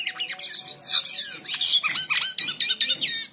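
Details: Short burst of song from a white-shouldered triller used as training material: rapid, high, scratchy chatter and sharp down-slurred whistles packed tightly together.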